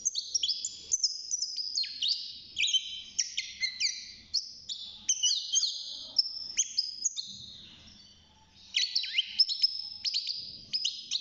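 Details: European goldfinch, a young caged bird now six months old beginning to sing, delivers continuous cheerful twittering with high slurred whistles and dry buzzy notes, a short quieter pause near the end.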